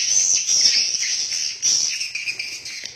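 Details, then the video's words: Swiftlets inside a swiftlet house, many birds calling together: a loud, steady wash of high buzzy twittering chirps, with occasional louder bursts and no other sounds. "SUARA ASLI BURUNG WALET DALAM RBW"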